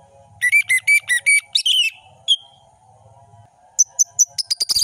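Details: Orange-headed thrush master song with varied content: a run of evenly spaced sharp whistled notes, a slurred trill, then high thin repeated notes, over a faint steady tone and low hum.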